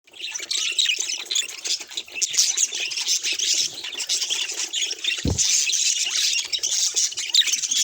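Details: Pet budgerigar calls, possibly including the grinding 'gigigi' call or the affectionate call: dense, continuous high chattering warble of rapid scratchy chirps and squeaks, with one brief dull thump midway.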